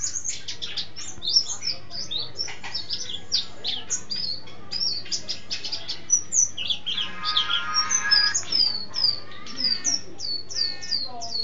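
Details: Mountain white-eye in full ngalas and ngeroll song, its repertoire filled with canary and sparrow imitations: a long, dense torrent of high twittering and slurred whistles, with a brief buzzy, rattling passage midway before sweet downslurred notes resume.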